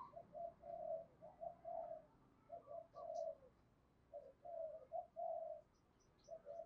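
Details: Spotted dove cooing giọng thổ pha tí đồng. Repeated low, hollow coo phrases roll on steadily, a few faint high chirps from other birds sound in the background, and light hiss is present.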